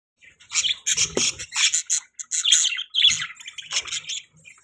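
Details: Pet budgerigars chirping: dense bursts of bright, scratchy warbling notes packed together, broken by short pauses, with a few soft low thumps partway through.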